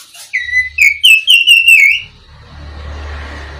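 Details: Black-breasted Oriental magpie-robin, the local kacer of East Java, in a tutor recording for songbirds: a run of about six loud, clear slurred whistles, each bending up and down, packed into under two seconds, then a faint low hum.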